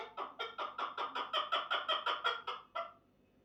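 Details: A chukar partridge delivers a brisk run of about fourteen rasping chuck notes that build in strength and then stop abruptly into silence.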